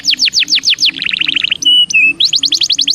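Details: Belgian canary song for warming up: repeated falling whistled sweeps, then a rapid trill, a pair of steady pure whistles, and the falling sweeps return.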